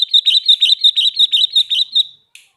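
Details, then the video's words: Sooty-headed bulbul in full, vigorous song: a rapid string of about a dozen bright, even chirping notes repeated quickly for two seconds, then a short final chirp. "Burung Kutilang Garuda Gacor"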